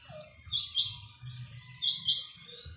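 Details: Quail giving high, sharp chirps in quick pairs, two pairs about a second and a quarter apart. A soft low rumble runs underneath.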